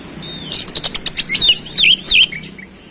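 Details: An oriental magpie-robin singing rapidly and showing its range of phrases: a quick series of sharp, evenly spaced notes, then loud looping whistles sliding up and down, ending in softer chips.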